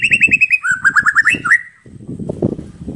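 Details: Singing white-rumped shama delivering a lively, mimicry-filled phrase of rapid clear whistles, then a string of lower slurred notes. Low rustling and thumping noises follow once the singing stops.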